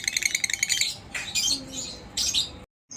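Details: Lovebird singing ngekek as a lure for other lovebirds: a second of quick, high chattering pulses, then scattered harsh squawky bursts and a short silence.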